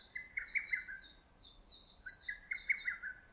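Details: Lesser cuckoo calling among woodland trees in early summer: two loud staccato phrases of quick, emphatic notes, each about a second long. Thin, higher chirps from other birds run above.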